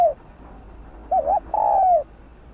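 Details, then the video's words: Spotted dove, a farmland bird of rural villages, calling to provoke decoy birds into calling: a short wavering coo followed by a longer, steady, slightly falling coo; only part of one phrase heard, with a quiet background. "Cu gáy THÚC,GÙ kích bổi cực sung"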